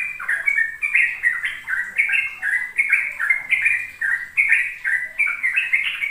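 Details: Rapid 'ropel' song of a sooty-headed bulbul, used as a tutor for juvenile birds. Chains of short, liquid whistled notes step up and down in quick succession, clear and loud, with faint high squeaks above.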